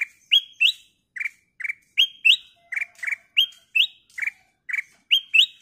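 Ruby-throated Bulbul giving bright, clear chirped notes in a steady run, about two a second, some rising and slurred upward; no other sounds.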